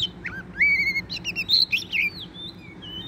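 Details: Wild Oriental magpie-robin singing very vigorously: a quick run of clear, varied whistles, some sliding up or down, others short and buzzy, over a faint low hum.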